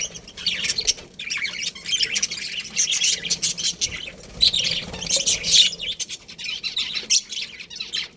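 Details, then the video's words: Budgerigars kept in a colony chatter without pause. Dense, high, scratchy warbling and chirps overlap from many birds, with only brief dips in the eight-second stretch. "Cute Budgies Chirping Sounds"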